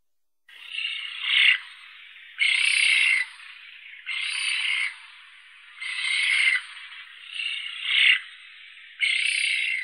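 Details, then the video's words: Eurasian spoonbill: harsh, hissing wheezy bursts, each lasting about a second, given in an uneven series roughly every one to two seconds, rising and falling in loudness, with no other clear sounds. "Как поёт Колпица (Platalea leucorodia)"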